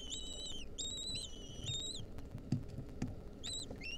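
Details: Begging from wild lesser kestrel nestlings receiving a mouse from their mother, 2023: three drawn-out, slightly falling shrill notes, a quiet pause with soft knocks, then two shorter cries, all above low rumbling noise.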